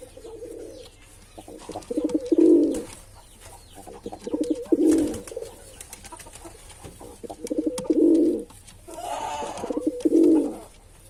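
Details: Low, rolling pigeon coos from a male bird, four loud phrases spread over the recording with muttered lead-in notes and a soft hiss of background noise.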